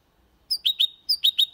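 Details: Brief passage from a goldfinch-canary hybrid's clean Malaga song: two quick groups of three sharp, bright chirps, each group opening with a higher note, separated by a short pause.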